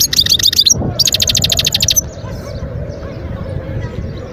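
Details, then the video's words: Wild European goldfinch from Guerbaz, Skikda, Algeria (2022) delivering two seconds of fast, evenly repeated high chips in a tight trill, then falling silent with only low background noise remaining. "صوت الحسون البري"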